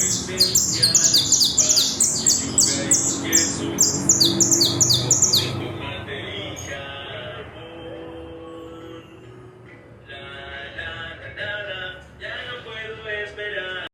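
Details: Colombian creole saffron finch, coarse or brown type, singing loud and clear: a long run of rapid high sweeping notes for about six seconds, then lower harmonic phrases in bursts.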